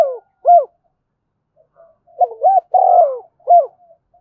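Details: Spotted dove used as a lure bird, cooing to call other doves: short, hoarse, arched coo notes, a single one then a pair, followed by a rough cluster of overlapping coos and a final note, against a silent background.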